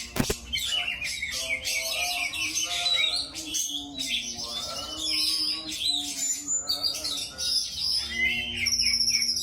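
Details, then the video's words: Caged white-rumped shama, shown in a bird-keeping setting and said to be fighting with the bird beside it, singing a fast, loud mix of varied whistles, trills and harsh notes, with speech before and after and music in the background. "SPEED RAPAT VOLUME TEMBUS #kacer"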